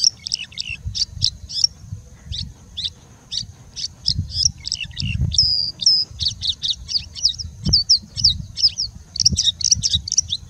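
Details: Continuous high-pitched song of a singing bushlark mimicking other birds: dense, varied chips, slurred notes and brief trills running almost without pause for ten seconds above a low rumble.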